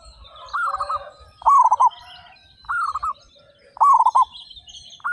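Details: Loud local zebra dove song from a group of thirty-five birds: trilled, rolling coo phrases roughly once a second, a quieter phrase answered by a louder one, and faint twittering of other birds in the background.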